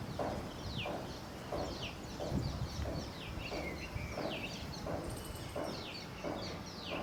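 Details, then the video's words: Female Asian koel giving shrill, downward-slurred notes repeated about every two-thirds of a second over a steady low background rumble. "female koel"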